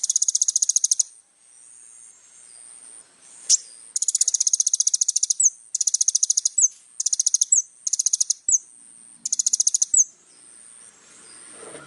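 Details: Little spiderhunter in sustained song, intended for training young birds: repeated one-second bursts of very fast, high, ringing notes, each often closed by a short downslurred whistle, with brief pauses between.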